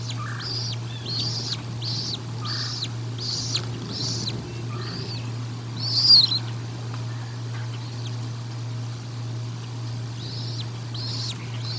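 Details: During feeding at the Decorah North bald eagle nest on 1 April 2022, thin high squealing notes come in a rapid cluster, pause, then return as a few more sharp cries, with a constant low hum throughout.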